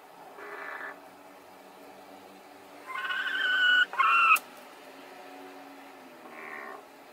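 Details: Hens fighting over the same laying spot at the same time; a soft short note, then a loud strained two-part complaint rising and wavering, followed by a fainter note, over steady low hiss.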